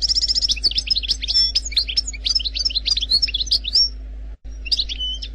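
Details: Wild-style Algerian goldfinch song opening with a rapid rattling trill, then varied sharp chirps and quick slurred whistles in a steady stream, a brief dropout past four seconds, and a closing few twittered notes.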